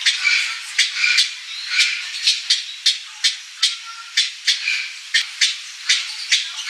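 Blue-bellied Parrot giving harsh, grating squawks in a quick uneven series, about two per second, with no other sounds.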